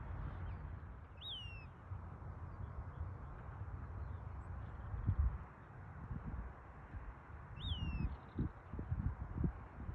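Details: Western wood pewee uttering two separate down-slurred calls about six seconds apart, each falling quickly in pitch, over low rumble with a few dull thumps later on.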